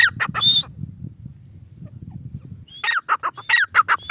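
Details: Grey francolin calling in two bursts of harsh, rapidly repeated notes, each phrase mixing a thin high whistle with descending squawky syllables, separated by a quiet gap with low background rumble.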